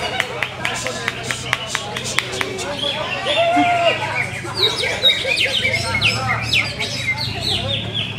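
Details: Greater green leafbird, a kept songbird with many contest wins, opening with a run of sharp clicking notes, then quick, high, sweeping and chattering phrases, over a steady low hum with talking in the background.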